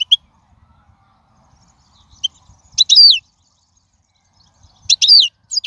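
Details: Wild European goldfinch song used as a tutor for young birds: two short bursts of high, slurred twittering separated by about two seconds of quiet, with isolated thin chips.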